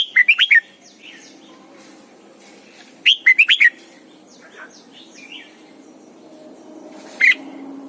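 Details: Red-whiskered bulbul kept caged as a decoy, singing at morning training: two quick phrases of four whistled notes about three seconds apart, a single sharp note later, over a low steady hum.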